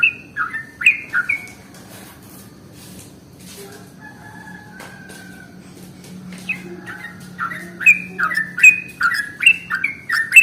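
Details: Sooty-headed bulbul song used as a lure to draw in bulbuls: bubbly, slurred whistled phrases, each a quick drop and rise, in two bursts with a quiet gap between, repeated roughly once a second; low steady hum underneath.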